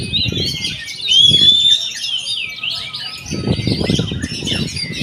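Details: Oriental magpie-robin song with a long clear rising whistle near the start, then tumbling buzzy phrases and high chips, with bursts of low thumping noise.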